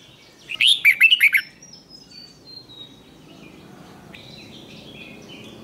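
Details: Red-whiskered bulbul in competition-singing training gives a single loud rapid phrase of twisting warbled notes, followed by thin high whistles and faint chirps.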